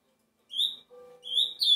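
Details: Ultramarine grosbeak giving two short, high whistled notes separated by a brief pause, with a faint steady low hum underneath.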